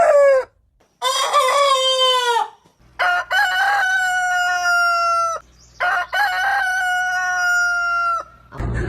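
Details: Heritage-breed roosters crowing one after another. One crow is strongly ringing and descending, and two more are long and level, each ending with a drop. A low steady hum sits under the middle crows.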